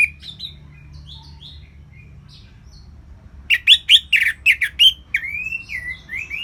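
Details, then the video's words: Orange-headed thrush in relaxed ngeplong song. Faint scattered whistles give way to a rapid series of about nine loud, harsh, clipped notes, then rolling, wavering whistled phrases. "ANIS MERAH Ngeplong Lemas"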